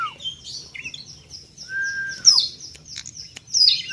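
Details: Young bar-winged prinia giving high, bright chirping notes and short rapid trills, mixed with a long steady whistled tone that drops at its end, repeated twice.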